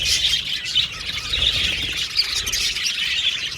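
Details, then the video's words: Aviary colony of budgerigars giving busy, high-pitched chirping and chattering, several short squeaky notes rising over the constant flock noise. "Beautiful Budgies Chirping Sound"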